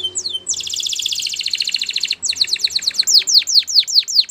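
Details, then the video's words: Canary singing a fast, buzzing trill for about one and a half seconds, then a series of loud downslurred whistles repeated roughly four times a second. "Canary Bird Singing | The Best Canary Song"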